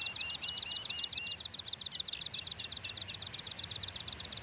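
A water pipit gives a fast run of thin, high ticking notes, about seven a second, over softer lower chirps. A faint outdoor hiss sits underneath.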